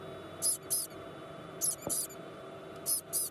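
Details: Captive White-bellied caique chick, just hatched in the early hours at a parrot nursery, peeping energetically "pi-pi": high, sharp squeaks given mostly in pairs, about four pairs in three seconds, over faint indoor hum.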